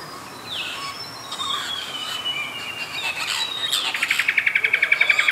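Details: Apostlebird (Struthidea cinerea) at Takarakka Bush Resort, Carnarvon Gorge, Queensland, Australia, 21 July 2019 at 07:50: scratchy, overlapping notes, then a fast harsh chatter of about a dozen rasping pulses near the end, in a quiet outdoor background.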